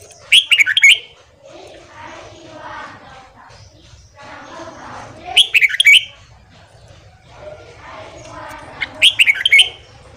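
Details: Red-whiskered bulbul giving a morning training song meant to excite newly caught birds: three short, bright, warbling phrases spaced about four seconds apart over a steady background of soft chattering voices.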